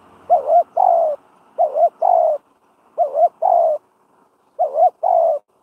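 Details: Cooing of a spotted dove used as a decoy for trapping. Four closely repeated phrases give a hurried rhythm. Each has a wobbling double note and then a fuller drawn-out coo. A faint low hum runs beneath.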